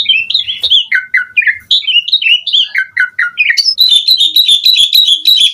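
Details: Lively, varied Asian pied starling song: bouncing whistled phrases that climb and fall, followed by a quick, high chattering run of sharp notes.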